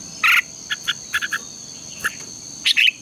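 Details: Red-whiskered bulbul in contest singing, used as a lure to train birds to sing in the morning: a loud bright burst, then short clipped notes in a scattered series, ending in a warbled double phrase over a steady high whine.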